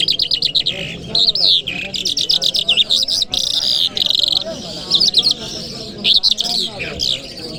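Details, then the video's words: Lark singing on a Friday morning in Kabul: a fast, unbroken run of high, sweet warbles, chirps and rolling trills with no pauses. "Lark Singing"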